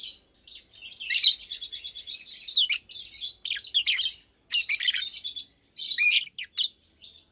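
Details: Two adult caged Fischer's lovebirds, almost two years old (one pastel green, one blue with a white head), chatter during the day in dense bursts of high, shrill chirps and squeaky twitters, pausing briefly between runs of a second or two.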